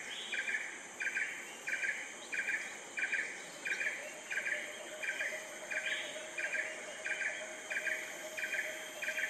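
An Asian red-eyed bulbul gives short, bubbly mid-pitched notes in a steady series, about three every two seconds, over a faint hiss of background insects.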